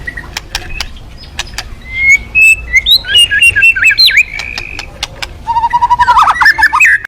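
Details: White-rumped shama song played to prompt other birds to sing: scattered ticking clicks, then a rich run of warbled whistles rising and falling, followed by a rapid stuttering series of fluty notes near the end.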